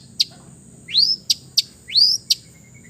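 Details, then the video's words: East Javan long-tailed shrike singing a relaxed song rich in mimicry: single sharp high clicks alternating with two drawn-out, rising then levelling whistles. "TERAPI CENDET BISU KURANG FIGHTER DENGAN KICAU SANTAI CENDET JATIM GACOR FULL ISIAN"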